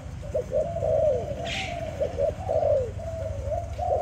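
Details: Mellow, staccato cooing from a pet Malay dove: quick clipped notes alternate with longer rolling coos in a steady flowing pattern, with one brief soft rustle midway and a constant low hum.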